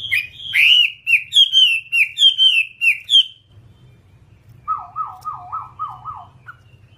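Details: Whambie singing on a master recording used to tutor cage birds: a run of bright whistled notes repeated about twice a second, then a lower rolling trill after a pause.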